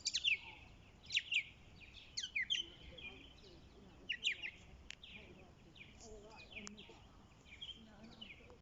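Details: Birds singing in bursts of high, sharp, twittering chirps, about five clusters in the first half, then fainter scattered notes and soft lower warbles further off.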